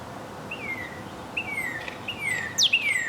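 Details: Northern cardinal song of slow, clear falling whistles repeated about once every 0.8 seconds, ending with one steeply dropping high slur that runs into a long whistle. The background is quiet.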